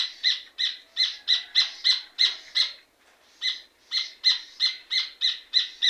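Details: Rufous hornero singing hard: rapid ringing chips roughly three per second break off for a brief pause near the middle, then resume at the same quick, insistent pace.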